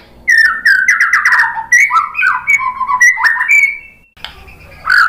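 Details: Lure song of a white-rumped shama to make birds respond: a rapid burst of varied, slurred whistles, then stepped rising notes and a drawn-out clear whistle, ending after a brief pause with one more note.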